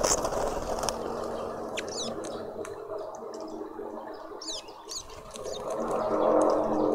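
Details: Red-billed quelea visiting a feeder in a suburban garden in Pretoria, South Africa: scattered high, sharp chirps and short descending notes over a steady low hum of background noise.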